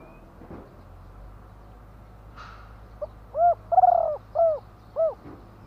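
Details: Spotted dove cooing after a quiet start with a faint rustle. One phrase follows: a brief intro note, a hollow coo, a long vibrating rolled coo, then two clipped closing coos.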